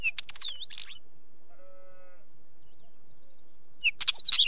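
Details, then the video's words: Wheatear giving two scratchy phrases, the first with clicks and a descending whistled slur, the second a jumbled crackling rush of squeaky notes. A faint low drawn-out tone is heard in the quiet middle. "Wheatear Bird call"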